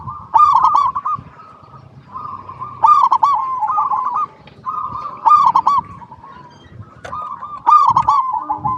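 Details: Local zebra dove song for luring other doves into singing: four evenly spaced phrases, each a quick run of hooked coos trailing into a rolling trill, about every two and a half seconds.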